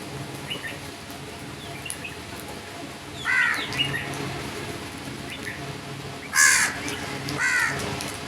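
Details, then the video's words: Crow calls: three separate hoarse caws spaced a few seconds apart, with faint high chirps of small birds in the quiet background. "Crow birds crowing sounds and loud noise"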